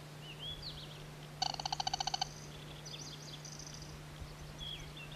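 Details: Band-bellied crake, a wild bird filmed north of Vladivostok around 18 June 2000, giving a rapid run of about ten evenly spaced harsh ringing notes, while other birds sing thin whistled phrases and a steady low hum runs throughout.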